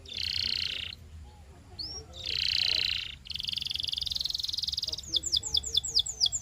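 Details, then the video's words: Belgian canary song meant for training young canaries: two long high buzzy warbles separated by pauses, a steady fast trill, then a series of sharp descending whistled notes repeated about twice per second. "SINGING TO TEACH BELGIAN CANARY"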